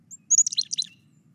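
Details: Carolina chickadee (Poecile carolinensis) chickadee-dee call: two high, thin chick notes then a quick run of four buzzy, husky dee notes in half a second over faint hum; the number of dee notes is thought to signal a predator's size.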